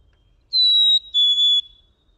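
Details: Black-capped Chickadee singing two clear, pure whistles, the first slightly higher than the second, with a tiny break midway through the lower note, played at normal speed. Otherwise quiet.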